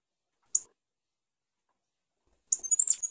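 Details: Pileated finch (Coryphospingus cucullatus) singing: a single thin, very high chip, then after a pause a quick run of high, sibilant twittering notes; nothing else is heard.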